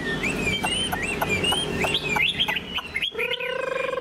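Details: Caged Chinese hwamei, tame and singing with tail spread, gives bright looping whistles and slurred phrases, then a sudden pause followed by a low, rapid rasping rattle near the end.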